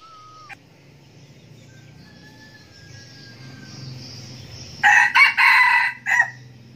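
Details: Red junglefowl decoy bird that crows often gives one loud, harsh, broken crow of four rapid bursts near the end. Before it come thin, drawn-out whistled notes from other birds over a low background hum.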